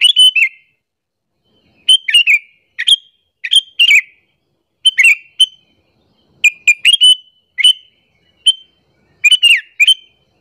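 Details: Lure call of a sooty-headed bulbul, used to draw other bulbuls and make them angry: a steady series of about eleven short chirpy phrases, some single notes, some quick triplets, spaced about a second apart.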